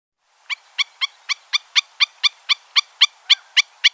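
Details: Stilt calling with a rapid, steady series of sharp, clipped 'tip' notes, about fourteen in under four seconds, each bright and slightly ringing, with nothing else clearly heard.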